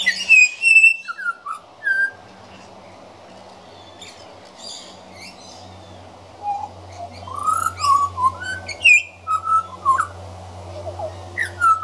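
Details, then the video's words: Young pied butcherbird, a regular visitor, practising its song: a rambling sequence of pure whistles, high slurred notes dropping to mellow lower phrases, a quiet pause, then quicker varied whistles, with a low steady hum throughout. "Juvenile Pied Butcherbird Singing"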